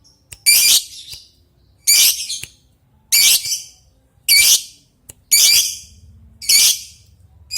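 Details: Lovebird calling an opponent: harsh, rasping high screeches in short bursts, one roughly every second and a quarter, each fading out raggedly.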